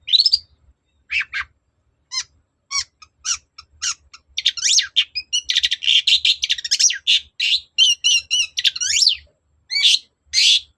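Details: Long-tailed shrike singing vigorously to provoke a reply: scattered sharp chips build into a fast, dense run of varied twitters, trills and scratchy warbles, rising and falling in pitch, then a few final harsh notes.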